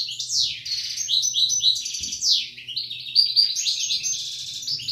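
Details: Couple of European goldfinches, Algeria, 2016, in continuous high song: rapid liquid twitters, downward-slurred notes and buzzy rattles run together without pause, bright and metallic throughout, over a faint low background hum.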